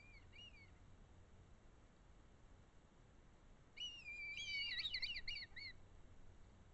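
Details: Red kites in the Eifel, Germany: a short high whistled note, then a loud wavering, quavering whistle lasting almost two seconds with strong trilled warbles near its end, over a quiet rural background.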